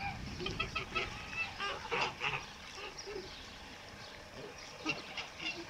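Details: White male Kholmogory goose from 2014 on a Bulgarian farm, calling in short, rough nasal honks spaced irregularly over a noisy farmyard background.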